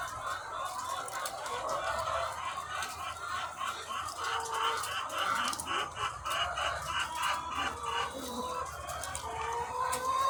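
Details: Thousands of egg-laying chickens on a farm produce a busy layered din of clucks, with quick clicking taps repeated rapidly in the middle section and occasional drawn-out upward calls.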